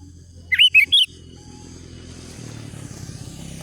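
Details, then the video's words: Sooty-headed bulbul in full song to provoke and call rivals, used for luring wild birds: one quick phrase of three bubbly, rising-and-falling whistled notes, then quiet with steady high hum and low background noise. "Mikat Kicau Manai Menari Mencaru Lawan Kutilang Liar"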